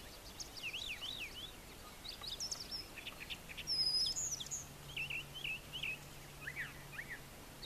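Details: Farm-yard brown thrasher, male, singing in the morning by brushy nesting areas: paired up-and-down slurred notes and short sharp phrases, each repeated, with a steady low hum underneath.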